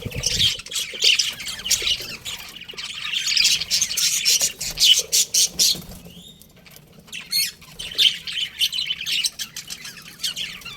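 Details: Budgies giving a long stretch of high, buzzy twittering and short squawks, rising and falling in intensity, with a brief quieter gap before the chatter swells again.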